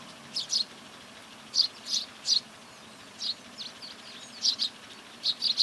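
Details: At a garden feeder in Recke, Germany, in November 2021, Eurasian tree sparrows give short, bright chirps in loose pairs and triplets about a second apart, over a faint steady background hiss.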